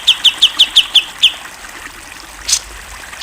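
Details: Grey-cheeked bulbul (cucak jenggot) song from a masteran tutoring recording described as clear and champion-level: six quick, high, downslurred notes in a rapid even series, then a pause and one faint raspy burst.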